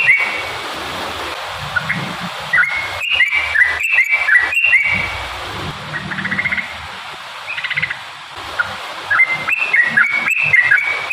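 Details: Yellow-vented bulbul singing, a song meant to provoke other bulbuls into singing; bubbly, whistled phrases of quick rising and falling notes come in bursts, mainly early-middle and at the end, over steady hiss with frequent sharp clicks.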